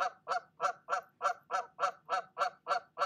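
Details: Goose on her nest furiously honking at an intruding goose; ten loud, evenly spaced, brassy nasal honks in about three seconds, fast and rhythmic.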